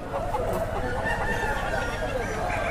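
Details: Many chickens, including fighter roosters sold at the Saturday-morning Jhilimili Poradi market in a clearing in sal forest, Bankura, cluck and crow together in a steady, overlapping din with people nearby.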